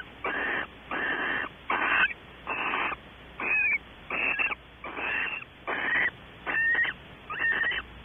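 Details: Barn owls at a California nest box, Audubon Starr Ranch, in the evening around mating time: a steady series of raspy hissing screeches, each under a second long, repeated about every 0.8 seconds, some ending in thin squealing notes.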